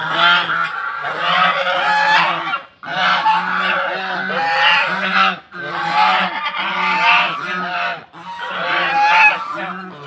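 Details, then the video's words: Domestic geese guarding a house in Tangail, Bangladesh, originally from Netrokona, call out at strangers while in egg-laying season. Noisy honking comes in four long bursts of roughly two seconds, separated by short silences. "এই রাজাহাঁসগুলো বাড়িতে অন্য মানুষ ঢুকতে দেয় না। অপরিচিত মানুষ আসলে তো এরকম শব্দ করে।"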